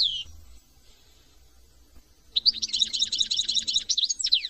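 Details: European goldfinch from France: one slurred descending note, about two seconds of near quiet, then a burst of fast repeated high twittering chatter ending in sweeping whistled notes.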